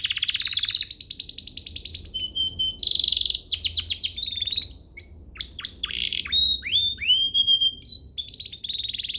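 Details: Canary training song used to make canaries sing eagerly: rapid buzzy trills alternate with sweeping whistled notes and ringing rolls, changing phrase every second or two, all high-pitched and clear.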